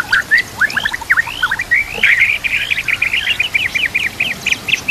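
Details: White-rumped shama song used as a tutor recording for other birds: sweeping upslurred whistles give way to a fast run of short repeated whistled notes, bright and rhythmic, over a soft background hiss.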